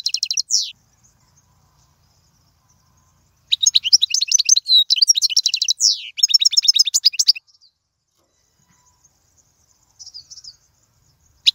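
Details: European goldfinch song for teaching fledglings: a brief slurred note, then a long run of rapid liquid twitters and buzzy trills with sweeping downward slurs, followed by silence and a faint short twitter.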